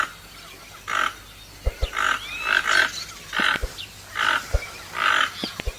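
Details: Toucan uttering repeated hoarse croaks about every second, mixed with sharp clicking knocks between the calls.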